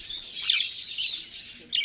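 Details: Sun conure (Aratinga solstitialis), call.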